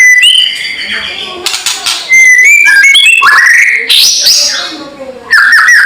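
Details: White-rumped shama calling a loud kretekan to stir rival birds: wavering whistles stepping up and down, harsh crackling bursts in between, and a strong rising sweep near the middle.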